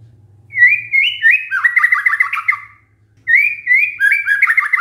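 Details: White-rumped shama singing as a lure so other shamas reply: a stepped series of rising whistles followed by a fast trill of looping, descending notes, repeated after a short pause, over a faint low hum.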